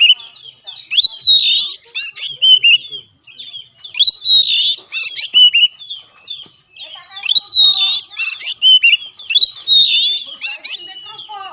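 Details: Oriental magpie-robin song played as a master recording to get a caged bird to sing, 2020: loud bursts of clear whistles and harsh buzzy notes in dense phrases, separated by short pauses.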